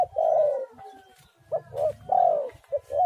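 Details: Lively spotted dove singing to draw other doves into song: a drawn-out falling coo, a pause, then two short coos and another long descending coo, with a brief note at the end.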